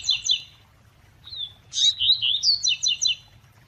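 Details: Coleiro tui tui, or double-collared seedeater, with a female call played to excite the male. Paired high whistled notes, a brief thin whistle, then a loud rasping chip leading into a rapid series of descending twittered notes.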